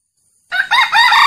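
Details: Real wild male red junglefowl crow, used as a lure call to attract junglefowl: a loud, brassy, rising-then-falling phrase cut short after about a second, following a moment of silence.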